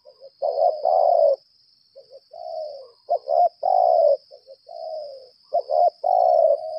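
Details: Spotted dove decoy, lambung kuk type, giving challenge calls: rhythmic low coo phrases, double note then extended coo, alternating with quieter short coos, and a steady high-pitched whine behind.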